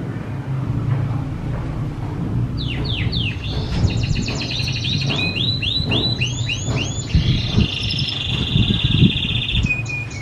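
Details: Canary singing as training for other birds: descending slurred notes, then rolling arched notes about three a second, ending in a long steady high whistle, with low background rumble.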